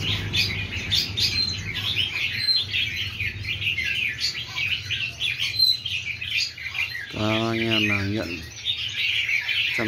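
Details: Many newly caught wild red-whiskered bulbuls, kept caged, chatter together in a dense overlapping tangle of bright chirps and short warbled phrases. A man's voice briefly breaks in near the end, and a low hum runs beneath.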